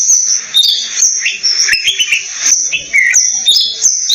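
An Oriental magpie-robin sings a rich, varied run of clear whistles and short rising and falling phrases, with a steady high thin hiss running underneath throughout.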